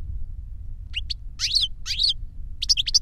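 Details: Caged European goldfinch in 'reclamo' song, the master bird or its copying pupil: a few sparse high notes, then two slurred descending whistled phrases and a closing cluster of sharp chirps over low hum.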